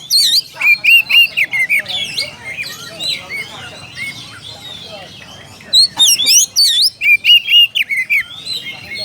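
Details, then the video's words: Oriental magpie-robin singing to challenge a rival, a fast series of clear whistles, upslurs and sharp high chirps in loud bursts, pausing briefly midway before resuming. "SUARA KACER MEMANGGIL LAWAN."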